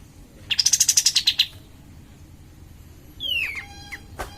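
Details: Cream-vented bulbul (kapas tembak) song used as a lure to rouse other birds: a quick rattling series of about ten sharp high notes, then quiet, then a clear downslurred whistle and a brief harsh note.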